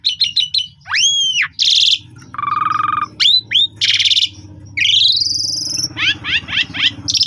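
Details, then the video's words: Varied afternoon song from a lively Asian pied starling, intended to coax young birds into singing: quick clicking notes, arched whistles, dense buzzes, a low rasping stretch and a long rising whistle, with a steady low hum. "Istimewa Pancingan Sore Jalak Suren Gacor Mompa Full Isian"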